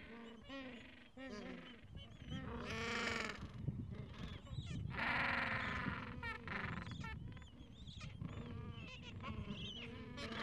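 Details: Gentoo penguin chicks about two weeks old, pressed under their mother for warmth in cold wind. Their calls are wavering and bleating, with rising and falling harmonic notes overlapping, over steady rushing wind.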